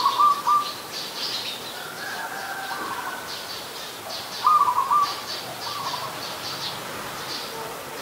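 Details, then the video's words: Adult zebra dove from Ubon Ratchathani, Thailand, December 2020, opening and ending with rolling stuttered coos and one strong phrase midway, set against busy high twittering of other birds and a brief higher whistle. "นกเขาชวา (Zebra Dove)"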